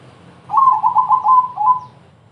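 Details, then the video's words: Zebra dove in crossing-style song meant to lure other doves into singing, delivering a lively run of about six quick, rippling coo notes over roughly one and a half seconds; low hum behind. "perkutut crossing gacor TERCEPAT, memancing BUNYI,semua jenis perkutut terpancing"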